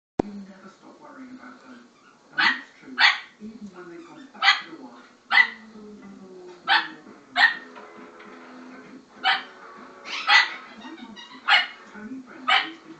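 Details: Pet Severe Macaw that lived with a pack of Pomeranian dogs imitates them, giving harsh, dog-like barks, short rasping bursts repeated every second or two.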